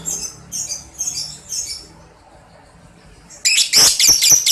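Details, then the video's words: Lovebird chatter, known locally as ngekek, played as training audio to prompt lovebirds to chatter and answer. Short, high, scratchy bursts open the recording, then a quiet gap, then a loud, dense run of shrill, rapid chirps. "ampuh terapi NGEKEK paud balibu cepat NYAUT emosi tarung labet apapun akan bunyi"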